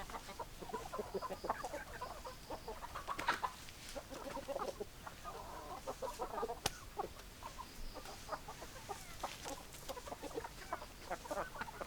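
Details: Chickens clucking at a distance, a scattered mix of short clucks and cackles over constant hiss, with a sharp click near the middle.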